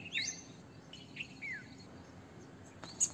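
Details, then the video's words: Red-vented bulbul giving a quick rising chirp, then a short note and a downslurred whistle, followed by a sharp high click near the end. "Red Vented bulbul - Bulbul - Indian Bulbul"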